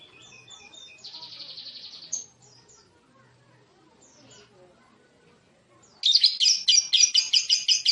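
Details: Lovebird chattering: a few soft high chirps and a short buzzy trill, a quiet pause with faint background murmur, then a loud burst of rapid, harsh, high-pitched chirps about three per second.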